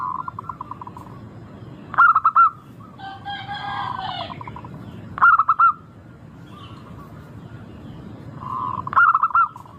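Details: Zebra dove, a local bird, singing a lure song meant to make others start calling quickly. Three bursts of rapid pulsed coos about every three to four seconds, with softer rolling trills between and a brief harsher harmonic call midway.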